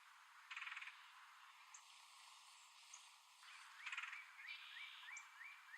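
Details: Male red-headed woodpecker calling while hiding food in tree holes: two harsh, buzzy, rasping bursts about three seconds apart, with a long steady whistled tone between them and a run of short rising chirps near the end.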